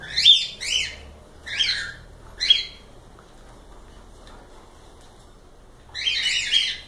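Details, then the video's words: Cockatiels calling in a live stream: four quick scratchy, rasping chirps in the first two and a half seconds, a long pause, then a fresh burst of overlapping harsh calls near the end. "Calopsitas Live Canto dos pássaros"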